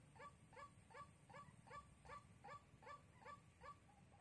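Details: Lure call of a white-breasted waterhen used for trapping in Soc Trang, Vietnam, February 2021: a regular run of hoarse, clipped notes, roughly two to three per second, with constant low hum underneath.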